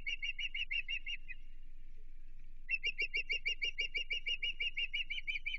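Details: Osprey at a Chesapeake nest on 15 June 2023, reacting to an intruder: rapid, sharp whistled chirps, several per second, stop briefly after about a second, then resume in a longer, steady run over a faint low hum.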